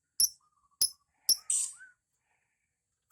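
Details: Lovebird in ngekek style, said to be fine for beginners: three sharp high clicks-like chirps in quick succession, one longer hissing burst, a small rising squeak, then silence before a final chirp.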